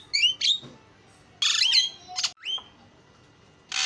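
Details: Javan myna song with isian fill-ins: a few separated phrases, a clear whistled note, then a long harsh rasping burst, a sharp falling whistle and another grating burst amid near silence.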